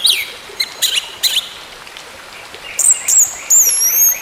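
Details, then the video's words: Orange-headed thrush singing, used as a recording to coax a bird that has stopped singing: a few clipped high notes, then a pause, then thin, very high rising and falling whistles. "TERAPI ANIS MERAH MACET BUNYI, BERTAHAP KEMBALI GACOR"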